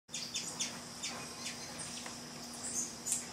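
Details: Sombre hummingbird (Aphantochroa cirrochloris) on the Trilha dos Tucanos, São Paulo State, Brazil, in April 2019, gives thin, high, squeaky chips, about two each second and unevenly spaced, over a steady high insect drone and a low hum.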